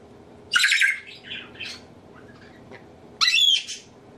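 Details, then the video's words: African grey parrot, a pet male at home that mimics sneezes, laughs, burps and nose blowing; two loud harsh squawks about three seconds apart, each rough and bright, with softer mutterings between. "African Grey Parrot talking sneezing blowing nose"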